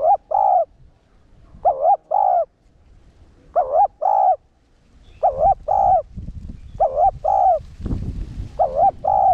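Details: Spotted dove, cu đất, cooing to excite caged males: repeated pairs of a wavering dipping coo and a longer coo, about every one and a half seconds, with rustling noise in the background.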